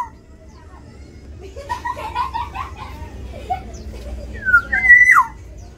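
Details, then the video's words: Black-naped oriole fighting over territory inside an aviary; a brief run of chattering notes, then a loud nasal, slurred call rising and falling near its end, over a low background hum. "Pertarungan burung kepodang di dalam aviary"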